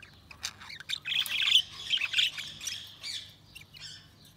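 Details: Budgies chirping: a continuous run of scratchy, squawky chatter with quick high notes, louder in the middle and fading toward the end.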